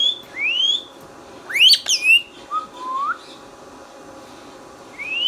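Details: Green ringneck parakeet kept indoors whistling: upward-sweeping clear whistles, a quick harsh squawk in the middle, a low sliding whistle, then a quiet gap before another rising whistle.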